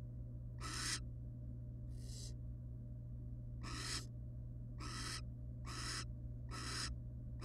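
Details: Inside a monitored wild barn owl nest box holding a pair and chicks; wheezy hiss bursts, one fainter, then several louder ones about a second apart, over continuous low hum.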